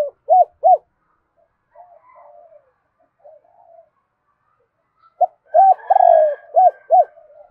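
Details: Spotted dove in fast 'kích bổi' cooing. Two short clipped coos open, then soft distant cooing follows. A full loud phrase comes next: a short note, a long drawn coo and two clipped coos.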